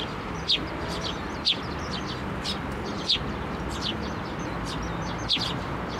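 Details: Eurasian tree sparrows, one a chick, flying onto a hand to be fed at a Tenmangu shrine on 17 May 2024; four loud sharp descending chirps spaced about a second apart over dense background twittering.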